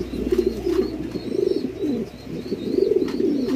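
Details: Close, loud cooing of fancy pigeons at a Bangladeshi pigeon farm, bubbling throaty bursts in quick succession, a dip in the middle, with faint higher chirps above.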